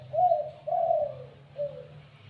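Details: Spotted dove just starting to call: three soft, low hooting coos, the first two long and gently falling, a shorter fainter one after a short pause, over a steady low hum.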